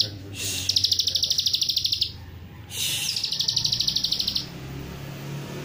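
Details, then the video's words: Plain prinia lure song in the rapid 'nembak rapet' style, used to provoke other prinias into singing. Two bursts of dense, fast, buzzy repeated notes, each about one and a half seconds, separated by a brief pause, over a faint low hum. "ciwah manapun 5 detik pasti langsung bunyi,,setelah mendengar pancingan ciwah nembak rapet ini"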